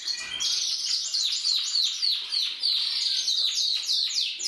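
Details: Canaries, several birds, singing a continuous high warbled trill made of quick repeated downward-slurred notes, about three per second, steady and bright throughout.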